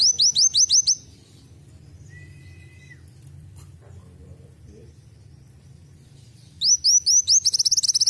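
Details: Kolibri wulung (black sunbird) singing canary-style song learned from canaries: fast series of high, upswept whistled notes, a burst at the start and a louder run near the end, with a quiet gap and a faint steady tone between.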